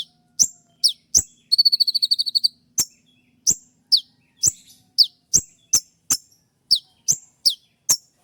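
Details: Kolibri ninja 'shot' song for training cage birds: a few sharp high chirps, then a second-long rapid buzzy trill, followed by a quick irregular series of piercing downslurred notes.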